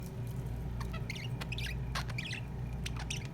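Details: Male budgerigar feeding his partner, giving soft warbling chirps in short scattered bursts, with clicks between them, over a steady low electrical hum.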